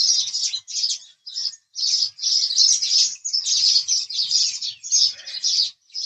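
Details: Busy house sparrow chirping, with loud, grating chirps bunched into bursts that nearly run together.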